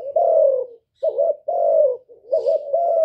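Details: Spotted dove cooing clearly with no other sounds, used as a lure for doves; long slightly falling hoots alternating with short wavering notes in quick succession.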